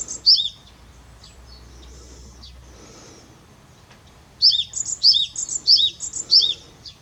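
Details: Song of a Japanese tit from 2021: after a near-silent stretch, a burst of rapidly repeated high two-note whistled phrases, each bright note sliding down to a lower one, over soft background noise.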